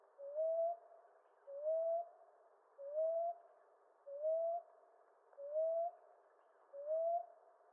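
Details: Steady series of six soft, rising coos from a common ground dove, evenly repeated about every 1.3 seconds.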